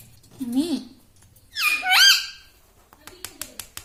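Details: Pet ring-necked parrot indoors giving a low wavering syllable, then a higher sweeping squawky phrase, followed by quick soft ticking clicks at the end.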